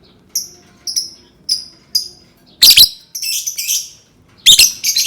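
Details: Lovebird sound played to get other lovebirds singing: four short, clear, high whistled chirps evenly spaced, followed by loud harsh shrieks and buzzy chattering.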